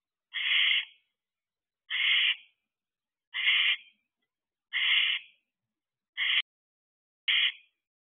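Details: Barn owlets in an owl box in July 2023, one a noticeably smaller runt: a steady run of six harsh hisses about every one and a half seconds, the last two shorter and more clipped.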